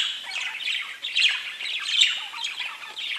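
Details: Busy warbling chatter of pet budgies, fast scratchy chirps and squeaks blended in an unbroken stream that swells and dips.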